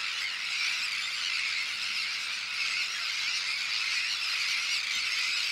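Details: A large breeding colony of Sandwich terns on a shell bank, with chicks of various ages and adults carrying fish, makes a dense, unbroken chorus of harsh, grating high calls with a faint low hum underneath.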